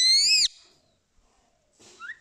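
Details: Rose-ringed parakeet known for talking gives one loud harsh screech with a rising-then-falling stacked tone, lasting about half a second, then near silence and a faint short upward squeak at the end.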